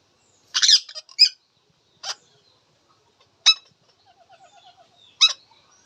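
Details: Talking Indian ringneck parakeet: a harsh double squawk, then single piercing shrieks spaced about one and a half seconds apart, with a faint quick ticking run between them.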